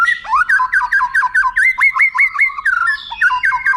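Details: Tutor song of a white-rumped shama for training contest birds: a fast steady series of ringing downslurred notes, about two per second, with harmonics above, each note slightly hooked.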